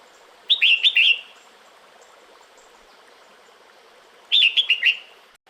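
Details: Two phrases of four to five rapid, bright whistled notes, about four seconds apart, from a female red-whiskered bulbul calling the male during the breeding season; quiet hiss between.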